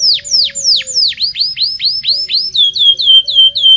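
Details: Lively local canary song, a lure for teaching canaries to sing: a series of loud, sharply falling whistled sweeps about four per second, shifting into quicker, higher curled notes with a faint low hum beneath.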